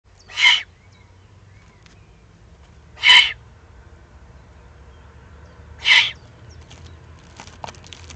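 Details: Excited juvenile Eurasian eagle-owls in the Eifel, Germany, recorded 21 June 2020: three harsh, hissing begging screeches, each about a third of a second, spaced roughly two and a half to three seconds apart, with faint low rumble beneath.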